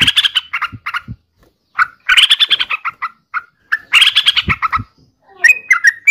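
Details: Harsh, gurgling chatter from a yellow-vented bulbul in repeated bursts, ending with a few clear whistled notes, with occasional low thumps.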